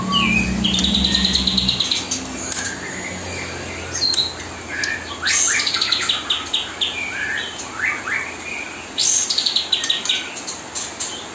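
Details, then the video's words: Pied triller song used to tutor young white-rumped shamas, played nonstop day and night during fledgling feeding; an opening rapid rising trill, then bursts of sharp chattering notes and buzzy chips in quick series, over steady background noise. "kapas tembak gacor nonstop menemani"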